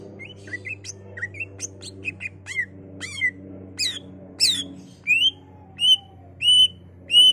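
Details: Greater green leafbird song to stimulate other leafbirds to sing: quick varied chirps and squeaky notes, then loud downslurred whistles repeated about every 0.7 seconds, over a low steady hum.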